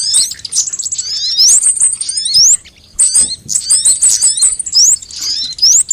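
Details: Sunbird song used as a lure and training recording: shrill, rapid trills and thin, sharply rising whistles in bursts, with one short pause midway.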